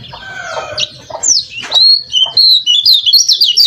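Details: Lemon-bellied white-eye in a varied training recording: a harsh, scratchy opening gives way to clear, high whistled slurs and quick twittering notes, rising in intensity toward the end.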